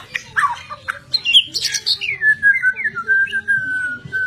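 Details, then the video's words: White-rumped shama: a few harsh high notes, then a long descending whistled phrase that flattens into a sustained tone. "Kicau Mania Burung Murai Batu"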